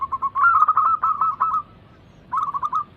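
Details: Captive zebra dove cooing used as a lure to get quiet birds singing: a tight rattle of fast notes slowing into a held tone, a pause, then another quick burst of five or six notes.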